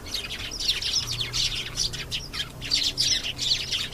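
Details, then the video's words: Canary singing a continuous high, rapid warble of chirps and rolling trills that rises and falls in loudness throughout. "canary singing. beautiful canary sounds"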